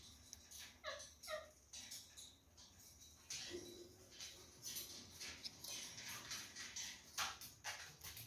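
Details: A caged pair of Gouldian finches pecking at jute placed in their nest that morning; two short, nasal, harmonic call notes close together early on, followed by dry rustling and scattered pecking clicks.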